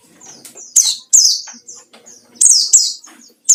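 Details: White-eye in 'ngalas' rival-seeking song: dense, loud, high chirps sweeping downward in quick pairs, with thinner twittering notes filling the gaps.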